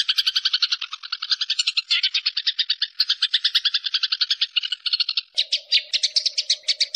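A sparrow gives a fast, unbroken run of bright chirps, about nine a second. A low steady hum joins in near the end.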